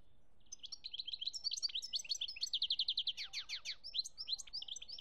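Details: Continuous twittering song of a European goldfinch, Algeria 2017, with quick tinkling notes, a fast trilled run and descending chirps strung together.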